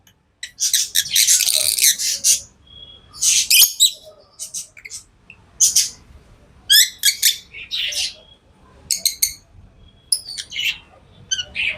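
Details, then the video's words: Tame lovebirds chirping continuously: shrill, scratchy bursts and quick single squeaks repeated irregularly over several seconds. "Love birds Sounds | lovebirds chirping sounds| parrot beautiful sounds"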